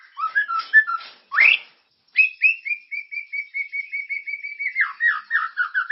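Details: Shama lure song to stimulate caged birds, continuous and full of character: mixed warbled notes and a sharp upsweep, then a long steady series of short repeated whistled notes that slowly descend into looping slurs.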